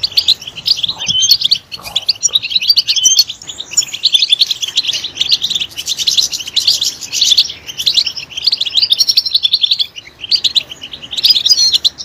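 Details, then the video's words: European goldfinch in full song: rapid, jangling high-pitched twitters run on almost without a break, with liquid chirps woven through the steady chatter. "Stimulating a goldfinch clip to make it chirp in a loud and wonderful voice"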